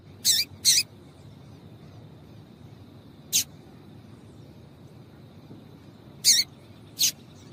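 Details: Female Double-collared seedeater calling, a call used to stir males into singing; short, high, harsh chips, a quick pair at the start and then single notes spaced a few seconds apart over a quiet background.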